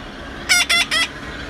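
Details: Pet red-breasted parakeet gives three harsh, raspy squawks in quick succession, each about a fifth of a second long, over a faint room hiss.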